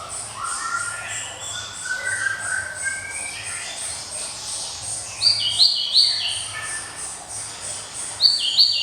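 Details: Java sparrow song, crisp and ringing: rising, lower warbled notes first, then from midway loud, sharp high chirps delivered in quick clusters.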